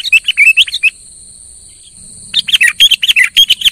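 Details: Vigorous sooty-headed bulbul song used to rouse a quiet bird: a quick run of bubbly, twisting chirps, a pause of over a second, then a faster, denser chattering burst, over a persistent high whine.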